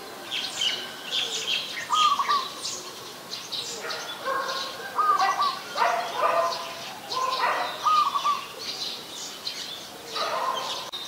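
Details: Adult zebra dove recorded in Ubon Ratchathani, Thailand, on 24 February 2022, giving brief rapid trilled coos repeated about every three seconds, three phrases in all, over a busy chorus of chirping birds.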